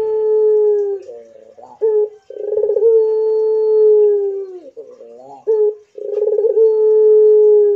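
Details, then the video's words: Pelung Barbary dove cooing in a steady cycle of long level tones, rough wavering breaks and short clipped notes, repeated about every three seconds. "DENGARKAN MANGGUNG PUTER INI GACOR PLONG I PUTER PELUNG GACOR DOR"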